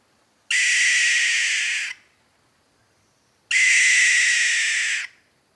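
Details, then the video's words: Alarm call of a barn owl: two long, harsh, hissing screeches, each about one and a half seconds, spaced three seconds apart, with silence between. "Alarm call of barn owl"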